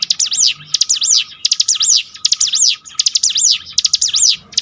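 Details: Bar-winged prinia (mountain ciblek) used as a training song to build a bird's mental strength; loud high zigzag notes sweeping up and down in quick repeated phrases, about three phrases per second-long burst, with brief pauses between bursts.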